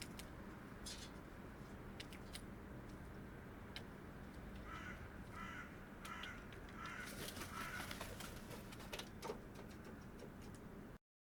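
Hooded crow giving a few harsh, hoarse caws in a loose series midway through, over a steady rumble of wind or distant traffic.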